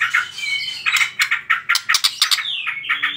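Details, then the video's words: Short burst of white-rumped shama trotol lure song meant to spur other birds into singing: sharp chips in quick succession, a gliding whistle at the start and a falling whistled slur near the close. "PANCINGAN TROTOL MURAI BATU"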